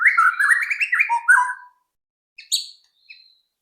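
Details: White-rumped shama singing, played as a lure to get other shamas to sing quickly: a rapid warbled phrase falling to a lower whistled ending, then a pause and two brief high sharp notes.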